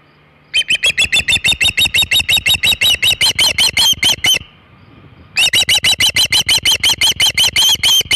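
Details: Osprey at the Hog Island nest with a large shad, afternoon of 27 August 2019: two loud bursts of clipped whistled chirps, about three per second, separated by a short pause.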